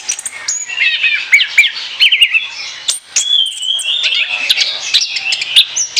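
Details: Orange-headed thrush singing nonstop 'ngoceh ngeplong' song for use as a lure, a rapid run of rising and falling whistled slurs, chirps and ticks, busy and unbroken throughout.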